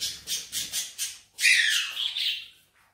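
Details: Green Indian ringneck parakeet, a talking bird trained in Urdu/Hindi, makes a quick run of five rasping squawks, then a loud whistled phrase that wavers and fades.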